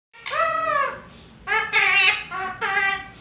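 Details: A pet parrot sings the human tune "Tujhko Na Dekhu To" in three drawn-out, voice-like phrases with a rich, nasal tone. The second and third phrases come in quick succession.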